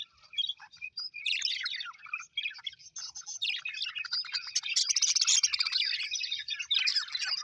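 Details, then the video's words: Several happy pet Australian budgerigars chirping together: a dense, continuous high-pitched warble of rapid chirps, squeaky twitters and scratchy buzzy notes, quiet for the first second and then filling the rest without a pause. "Happy budgies chirping sound"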